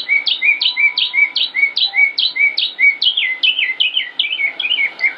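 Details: Northern mockingbird, a male recorded on 25 May 2016 in Concord, North Carolina, United States, singing without repeating a song: rapid, steady series of high chirping two-part notes, more than two per second, shifting to a slightly different phrase near the end.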